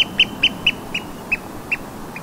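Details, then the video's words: Oystercatcher calling on the saltmarsh at Burnham Overy, North Norfolk, on 15 May 2020 at 20:35: eight sharp piping notes that slow and fade, set against a constant wash of distant surf. "Oyster catcher sound at North Norfolk coast, UK"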